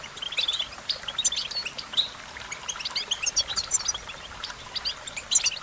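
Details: Goldfinch twittering with a busy, continuous stream of high chirps and thin whistles. The notes overlap and suggest more than one bird singing.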